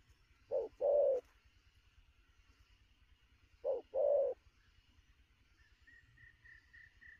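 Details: Newly caught spotted dove at noon giving two widely spaced short-long coo pairs, with faint thin higher repeated notes from another caller near the end.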